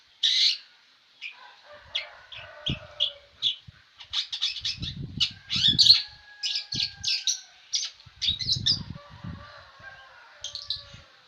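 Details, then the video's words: Cendet, the long-tailed shrike, in continuous chattering song: loud harsh opening note, then clusters of rapid buzzy, squeaky phrases with brief pauses, a faint thin tone beneath, and scattered low knocking thumps. "Apa sih rahasianya sehingga burung cendet ini tak mau diam"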